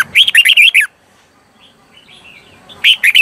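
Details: Red-whiskered bulbul singing 'ché' song to call in wild birds: a rapid run of bright, falling whistled notes, then soft quiet warbling, before another loud burst of chirpy notes at the end.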